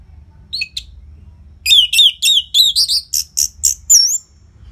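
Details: Loud Orange-headed thrush song serving as a prompt for caged birds: a couple of soft notes, then a rapid series of sharp falling whistles and buzzy chips, ending in a long slurred whistle.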